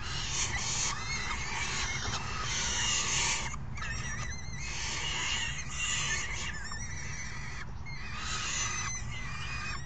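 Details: A crowd of falcon chicks begs noisily during a feeding on June 3, 2018, one parent having brought food; continuous rasping screams in pulsing bursts, dipping briefly near the middle, with high squeaky notes.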